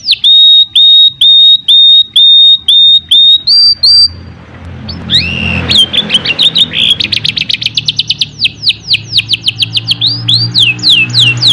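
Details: Canary song opens with a row of pure, evenly spaced whistles, then a short buzzy passage, followed by a long rapid series of falling chirps.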